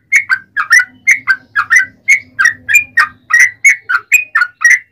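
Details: Yellow-vented bulbul singing a fast, long song, used to provoke other bulbuls: a stream of liquid whistled notes, singles and doublets, about eighteen across five seconds, with a faint low hum beneath.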